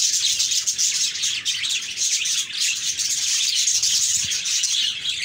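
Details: Happy budgerigars chirping together: a dense, continuous wash of high, scratchy twitters and warbles with brief whistled notes, no pauses across the stretch.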